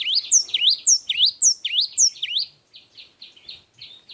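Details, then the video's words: Java sparrow in full, energetic long song: sharp upswept chirps, each with a high overtone flick, repeated about four times a second for two and a half seconds, then a softer run of short buzzy notes. "Suara burung gelatik wingko gacor suara panjang"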